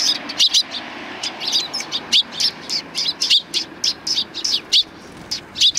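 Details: Several sparrows coming for handouts along a Tenmangu shrine's front path, April 2020; sharp tweets in quick pairs and triplets, repeated steadily about every second throughout.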